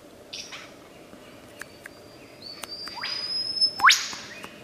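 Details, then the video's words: Wild superb lyrebird in Australia mimicking other sounds: faint scattered chirps, a thin steady whistled tone, then a loud rushing burst ending in a sharp rising whistle near the end, over constant low background hiss. "Burung Peniru Terbaik, Burung lyre kecapi / lyrebird di alam liar"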